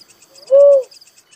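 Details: Little cuckoo-dove (uncal, tekukur merah) uttering one low, rounded coo with a brief soft intro, the note rising and dropping smoothly; faint pulsing insects continue behind it.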